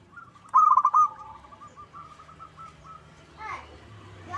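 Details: Lure recording of a local zebra dove, meant to make birds sing back: an early loud, quick, stuttering coo phrase, followed by softer repeated trilled coos and faint background noise.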